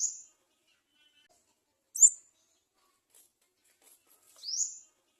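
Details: Olive-backed (garden) sunbird chick at the nest begging for food with three thin, high-pitched cheeps spaced about two seconds apart, with quiet gaps between them.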